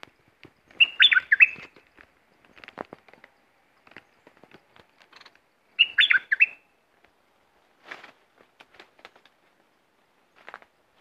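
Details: Southern Thai bulbul song used as a trapping lure to make birds excited: two short, lively whistled phrases about five seconds apart, with scattered faint clicks and ticks between them.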